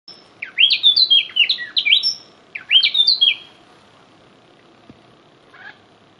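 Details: Hermit wood wren singing in the Sierra Nevada de Santa Marta: two quick bursts of bright, high chirping notes tumbling up and down, each under two seconds, then near silence with one faint chip.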